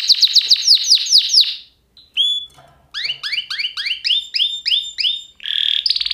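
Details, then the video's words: Canary song: a series of sharp down-slurred notes, a pause, a single whistle, then rapidly repeated rising notes and a closing buzzy trill. "Kanarya sesi | Kanarya ötüşü | Canary Sound"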